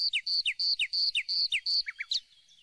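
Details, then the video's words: Nightingale song in the tirlira style: a quick run of about a dozen high, ringing notes alternating with brief falling slurs, closing with two lower notes before fading out. "نوطة العندليب تيرليرا"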